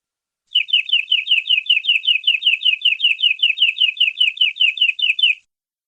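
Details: Tutor-song canary with long 'gacor' singing in the 'nembak' style: a steady run of around thirty bright, slightly down-slurred chips, about six each second, holding one pitch for five seconds against a silent background.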